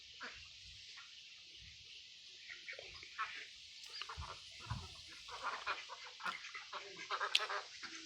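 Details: Ducks quacking amid a mix of Mandarin ducks, mallards and Pekin ducks: short, harsh, scattered quacks that grow busier and louder in the second half, over a steady high hiss.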